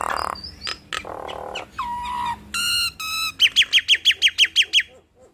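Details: Nias hill myna duet used as a lure for other mynas: varied whistles and a nasal harmonic note, then a rapid series of about ten bright downslurred whistles, roughly four each second.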